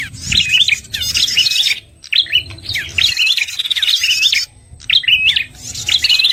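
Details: Red-headed prinia trapping lure: loud bursts of twittering, upslurred chirps with buzzy rattles, about once a second, broken by brief silences.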